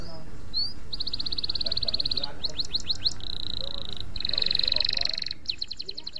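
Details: Canary master song used to train other canaries: long even trilled rolls held at a steady high pitch, a few quick rising chips between them, over a constant low background rumble.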